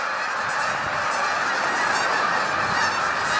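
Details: Hundreds of Canada geese taking to the sky together, a dense, unbroken chorus of overlapping nasal honks with no gaps, many birds calling at once for the whole stretch.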